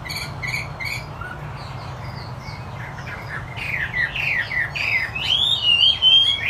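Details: Chinese hwamei singing in full voice: soft, scattered notes at first, then louder, varied whistled phrases that swoop up and down, ending in long slurred, rising and falling whistles; a low steady hum underneath.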